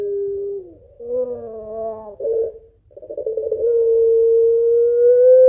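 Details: Puter pelung Barbary dove, described as crying and laughing while calling its mate: a short falling coo, a wavering phrase with a low undertone, rough bursts, then a long, slowly rising held tone.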